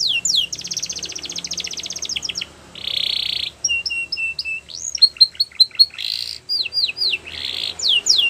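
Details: Canary singing a varied song: a long rapid buzzy trill, then a dense rolling burst, clipped whistled notes, and a series of quick sweeping upslurred whistles, with more rolls and sweeps to close. No other sounds stand out.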